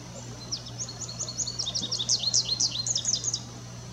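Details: Lively, high twittering from an American goldfinch: fast, varied, slurred notes pouring out for about three seconds, steadily growing louder, over a soft background hum.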